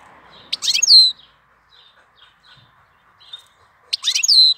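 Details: European goldfinch song in April, with two loud bursts of twittering, buzzy notes, each ending in a bright descending whistle, separated by soft scattered high chirps; faint background hum.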